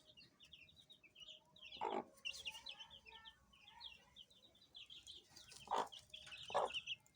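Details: Baby chicks give a steady stream of high, short peeps from several birds at once. Three loud bursts of rustling or scuffling noise break in, and a faint steady hum lies underneath.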